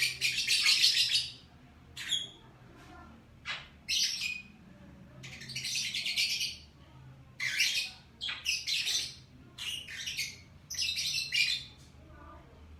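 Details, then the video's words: Morning chatter of lovebirds, a busy run of rasping, buzzy squeaks and shrill chips in uneven bursts, nearly continuous across the stretch, with a constant low hum underneath. "LOVE BIRD Kicauan Burung Di Pagi Hari"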